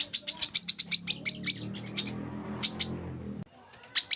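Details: Olive-backed sunbird, recorded to train young birds: a quick series of high sharp chirps slowing to spaced single notes, with a low humming noise in the background, then brief silence and two more chirps.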